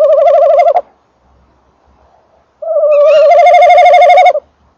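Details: Male tawny owl at a nest box on 28 December 2013, 19:48, microphone close to the box, female calling farther off; two long wavering, quavering trills, the second with a brief rising higher note over it.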